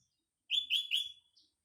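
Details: In the morning surrounded by green nature, a sooty-headed bulbul gives a fast triplet of loud, clear chirped notes at an even pitch, followed by a softer, slightly higher short note.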